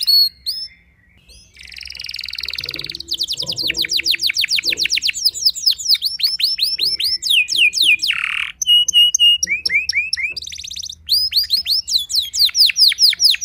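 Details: Canary song for goading other canaries into song: after a short pause, a buzzy held tone, then long rapid trills, a harsh buzz, flat whistles, rising notes and a final fast rattle.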